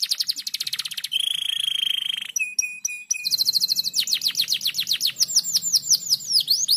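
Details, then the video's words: Training lure of a canary singing: quick rattling trill, a sustained steady buzzy note, short repeated metallic pips, then cascades of fast downward-sweeping notes packed closely together, no other sounds. "PANCINGAN KENARI GACOR MENTAL bagus SPEED RAPAT Cocok untuk masteran"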